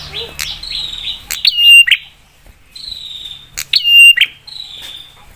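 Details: Prinia song used as a lure to provoke other prinias into replying. Quick high downslurred notes lead into a sharp click, then a steady whistled note ending in a harsh burst. The phrase comes twice.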